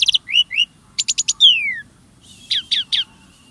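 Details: Starling singing to prompt caged birds: short upswept whistles, four quick stacked notes, then a long falling whistle and three descending calls over faint hiss.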